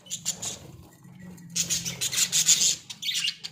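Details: Australian budgies kept as pets in a small cage, shown enjoying themselves: high, hissing squawks come in short clustered bursts, loudest toward the middle, over a quiet low hum.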